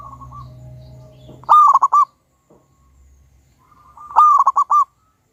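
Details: Local wild-type zebra dove, a lure recording of a loud, very vocal bird: two bursts of a rapid, rolling cooing phrase, each a quick run of four or five bright notes with a long ringing final coo, separated by a quiet pause.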